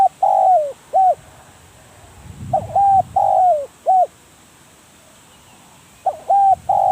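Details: Decoy spotted dove calling in a series of mellow, hollow coos, several notes each ending in a downward slur, grouped in phrases separated by pauses, with faint low rustling in the background.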